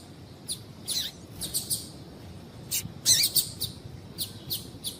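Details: Female double-collared seedeater piping to stimulate a male: scattered high, sharp chirps, some in quick doubles, a few with short downward sweeps, a louder cluster near the middle, roughly fifteen notes over five seconds.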